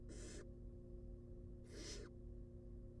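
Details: Baby barn owls being fed in a wild nest box give two rasping hisses, each lasting under half a second, over a constant low hum from the camera setup.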